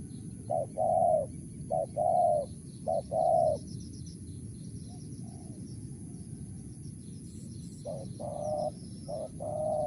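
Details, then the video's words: Spotted dove, wild, in the clear 'mersik' voice style: several short-long coo pairs, a quiet gap, then more softer coos resuming, all over a continuous low hum with faint distant chirping. "BL suara Mersik//Tukang Keliling//Aren4 Laman"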